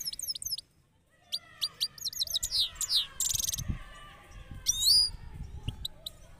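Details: European goldfinch kept in a red cage, singing in a rolling style: scattered bright high twitters, short trills and a few whistled slurs, with pauses between bursts and low background rumble.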